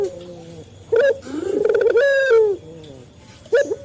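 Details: Local male Barbary dove, a lure recording for training captive doves to call: soft low notes, an abrupt clipped coo, then a rolling purring build into a long drawn-out coo that fades, and another clipped note.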